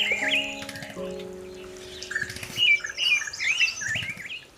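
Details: A Black-breasted Thrush (Turdus dissimilis) in Karimganj, Assam, in December 2023 gives a run of high, sweet chirps and short warbled notes, about two per second, over a steady low hum that fades early on.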